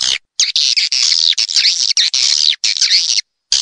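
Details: Lure call of edible-nest swiftlets for a swiftlet house: long runs of shrill, buzzy, chattering twitter with wavering pitch and only brief pauses.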